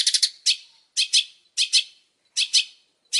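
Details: Long-tailed shrike, described as very vocal, giving harsh scratchy chatter, mostly in paired bursts repeated roughly every half second to second, each burst fading after a sharp start.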